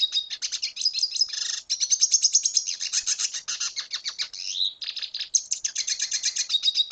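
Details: Venezuelan red siskin pouring out a dense, fast song of high twitters, rattling trills and buzzy notes, with a brief downward slur near the end and almost no pauses.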